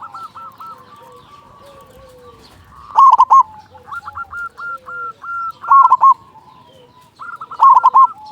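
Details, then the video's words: Local zebra dove singing to encourage other doves, loud bubbling coos recurring every few seconds between long runs of quick, rolling coo notes. "Perkutut lokal gacor suara besar pancingan burung perkutut agar cepat bunyi"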